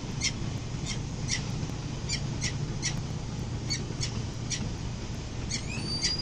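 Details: A wild Peregrine falcon at a city-building nest, as the pair arrives home early on a November morning in 2024, gives short, harsh chipping notes in an uneven series, about two each second, over a steady low city rumble.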